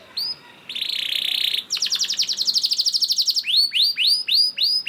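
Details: Gacor canary performing a lure song meant to make other canaries sing. One short note comes first, then a steady buzzy trill and a fast rattling series, finishing with loud arched whistled notes about every half second.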